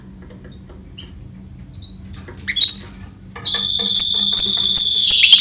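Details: Goldfinch-canary hybrid, after near silence with faint high chips, breaks into a sustained high buzzy trill, then a long rolling trill with regular pulses.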